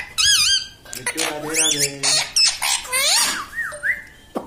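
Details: Talking pet parrot giving harsh squawky, speech-like syllables mixed with rising and falling whistled notes in a quick burst.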